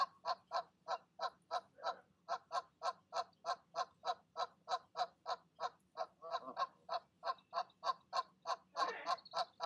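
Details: Goose parent, mate nearby, coaxing goslings to leave the nest in the evening, 12 05 20; a long, regular series of short honks, roughly three per second, with rougher overlapping calls toward the end.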